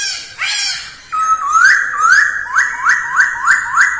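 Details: Early-morning practice song of a masked laughingthrush: a harsh note, then about seven rising whistled notes repeated evenly, roughly three per second.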